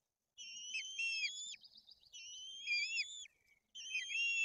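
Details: Two white-tailed eagle chicks at a Tuchola Forest nest in Poland, fed fish while the older one shows aggression. Clear piping whistles run in three bouts about every one and a half seconds, mixed with short rising and falling notes.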